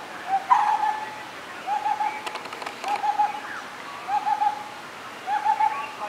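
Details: Lineated barbet (Psilopogon lineatus), call.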